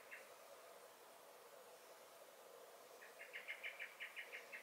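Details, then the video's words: Common blackbird (Turdus merula) in a garden on 23 May 2021, giving alarm calls: after a single early note, a quick run of about nine sharp, clipped chinks starts near the three-second mark, over a steady background hum. "Song and Alarm Calls of the Blackbird"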